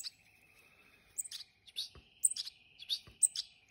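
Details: Hand-reared European goldfinches giving short, high, thin chirps in scattered bursts over a steady high whine; quiet pauses between calls.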